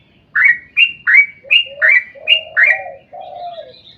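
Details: Sooty-headed bulbul delivering 'ropel panjang' song meant to prompt others of its kind to sing: six quick, loud, bright, slurred notes in a row, then a drawn-out mellow warble and a faint high thin note.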